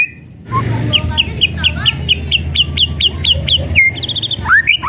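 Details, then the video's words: Kretekan song of a white-rumped shama meant to excite rival birds: a fast, even series of about a dozen sharp upswept notes over low rumble, ending with a held whistle and two rising slurs. "KRETEKAN MURAI BATU MEMANCING EMOSI PALING TOP"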